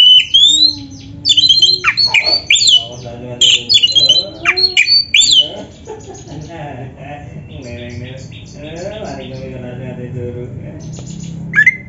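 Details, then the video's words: Oriental magpie-robin delivering 'gacor full isian' song: loud bursts of varied whistles, chips and rasping notes in quick clusters for about five seconds, followed by softer, lower warbling and a final high whistle. "Kacer gacor full isian RAPET"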